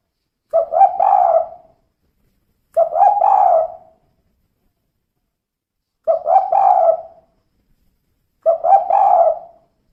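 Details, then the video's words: Female spotted dove repeating a kuk 2 style call four times: each phrase a brief stuttering coo followed by a drawn-out mellow note, spaced roughly every two to three seconds, with nothing else audible. "Suara Burung Tekukur Betina Kuk 2"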